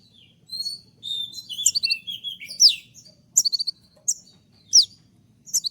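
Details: Konin in moult mixing warbled twittering with piercing 'tembakan' shots: sharp downslurred whistles and quick clipped trills, spaced about a second apart.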